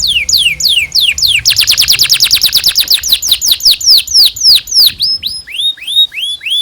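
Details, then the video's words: Canary tutor song for teaching young canaries: fast chattering trill of high clipped notes slowing into distinct descending whistled sweeps, ending with spaced rising chirps. "PANCINGAN Kenari GACOR PANJANG Cuit CUIT EMOSI ini AMPUH utk MASTERAN Kenari PAUD belajar BUNYI"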